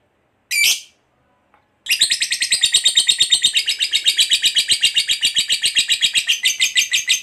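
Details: Fighter lovebird ngekek used to prompt other lovebirds to sing: one short shrill squawk, a pause of over a second, then a long, continuous, rapid rattling chatter of harsh pulses lasting to the end.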